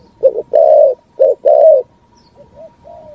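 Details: Spotted dove in 'thúc gù' style cooing, echoing in forest: two short low coos then two longer sustained ones, followed by quieter soft cooing notes and a faint steady hum in the background.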